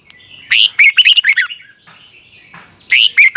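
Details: Red-whiskered bulbul training its contest voice: a quick, jaunty phrase of about six slurred whistles, a brief pause, then the phrase begins again, over a steady high tone.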